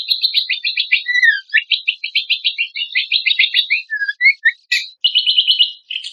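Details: Kecial kombok song from a tutor recording made to train contest songbirds: a rich, fast jumble of high chattering notes and short slurred whistles, with a few lower falling whistles woven through.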